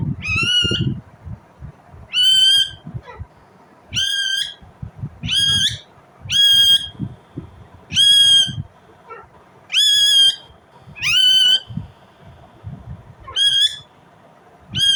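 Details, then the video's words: Indian ringneck parrot natural sound: strident, upward-flicking squawks repeated about every one and a half seconds throughout, evenly loud, with faint low clatter between calls. "Indian Ringneck parrot Natural sound, parrot chirping sound"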